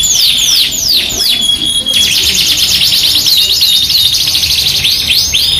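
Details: Yorkshire canary in full song as a masteran lure, paired with an AF canary of luxurious cengkok: swooping descending whistles and a long pure note, then fast rolling trills packed tightly at high pitch.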